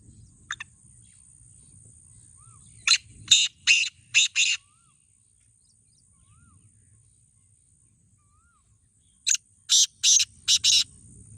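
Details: Black francolin in a calling contest between two birds, two bursts of five short harsh rasping notes separated by a long quiet gap, faint thin whistles between them and low rural background hum.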